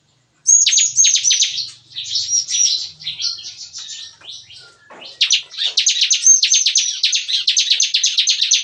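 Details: In the morning, bar-winged prinias kept in an aviary cage give busy, shot-like nembak-nembak song: quick high chirp bursts, a softer middle stretch, then a long fast run of sharp repeated notes.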